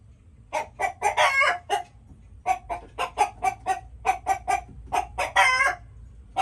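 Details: Chickens clucking: short harmonic clucks in quick bursts with a few longer drawn-out squawks, a brief pause near two seconds, then more rapid clucking, over a faint low hum.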